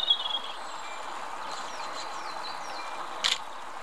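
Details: European robin (Erithacus rubecula), song.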